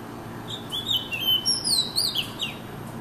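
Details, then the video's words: An Oriental magpie-robin sings a varied run of clear, sweeping whistles that rise and fall quickly over about two seconds, over a faint low hum. "A sad looking Magpie Robin takes so long to sing"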